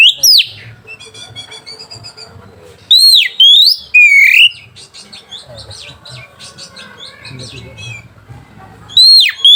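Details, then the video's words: White-rumped shama song meant to provoke rivals and stir mating urge: loud looping whistles in short bursts at the start, middle and end, with softer chattering notes and faint background sounds between. "PANCINGAN SUARA KACER PEMBANGKIT BIRAHI DAN EMOSI LAWAN"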